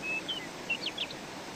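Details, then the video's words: Bird singing outdoors in nature: a thin high whistle, then a handful of short chirps and quick slurred notes over a steady background hiss. "Kuş cıvıltıları"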